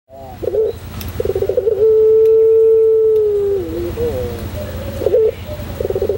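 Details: White Barbary dove of the puter pelung type, a local long-cooing style, singing in a tutor recording: stuttering rolled notes lead into one long, steady, low coo that slides down at its end, then rolled notes resume.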